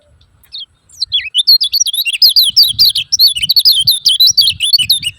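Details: Calls of a lemon-bellied white-eye meant to lure silent birds into song: a brief thin note, then a lively, unbroken chatter of high, wavering chirps over four seconds, with faint low knocks beneath.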